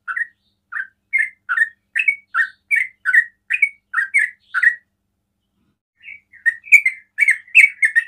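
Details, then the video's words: Trucukan (sooty-headed bulbul) whose calling is said to set off other bulbuls: a steady series of short, down-slurred chirps, a silence of over a second, then a denser, brighter cluster of notes. "TRUCUKAN ROPEL PANDAI BIKIN TRUCUKAN LAIN TERPANCING BUNYI"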